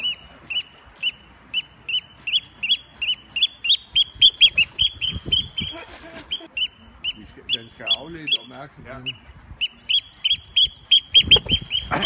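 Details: Eurasian oystercatcher attacking to divert attention from its nest, with rapid, urgent high piping notes that speed into excited runs and then pause, while a man speaks and handling noises are heard.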